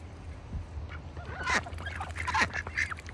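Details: Farm ducks sitting in a bucket during winter call in a few loud, rasping quacks clustered near the middle and end, with a low steady hum underneath.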